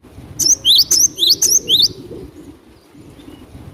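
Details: Java sparrow, glatik batu, singing in a lively style used for luring birds: a phrase of about six high, ringing chirps with swooping notes, followed by low background noise.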